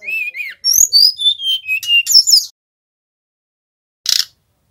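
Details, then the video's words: High varied phrases from a male brown-chested jungle flycatcher from Bali, used to lure and train birds: a wavering whistle, a run of descending clear notes and a buzzy flourish, then silence and one short rasp. "Sikatan rimba dada coklat bali gacor - PIKAT Burung SRDC"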